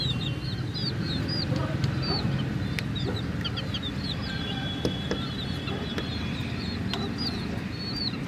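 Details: A group of chicks around a mini toy jeep peeps continuously, short high notes bunched in rapid chattering runs, over a constant low rumbling noise and occasional clicks.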